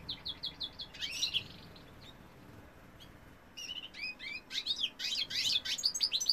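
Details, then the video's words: Male European goldfinch singing: rapid tinkling, twittering notes in quick bursts, a louder jumbled phrase near the start, a short pause, then a busier liquid run of chirps and trills to the end. "goldfinch cock singing"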